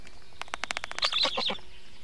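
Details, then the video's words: Black stork feeding at the nest on the evening of 24 June 2017 at 19:52: a quick series of dry clicking pulses that speeds up into a harsher, squeaky chatter before stopping abruptly. "Must-toonekurg / fekete gólya 2017.06.24. 19:52 etetés"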